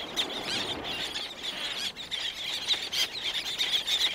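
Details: Several black-naped terns calling close by, others in the distance, with wing beats; shrill, grating calls tumble over one another in a continuous rapid chatter.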